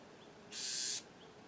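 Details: Bewick's wren (Thryomanes bewickii) in California, one of a pair nesting with young in a clothespin bag, gives one harsh, raspy, hissing buzz of about half a second over quiet background hiss.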